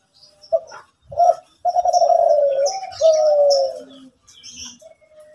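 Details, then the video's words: Zebra dove from Kelantan singing energetically in the morning: short low coos, then long rolling purring coos that slide gently downward, ending with softer notes and faint high chirps in the background. "Derkuku Kelantan Gacorrr pagi hari"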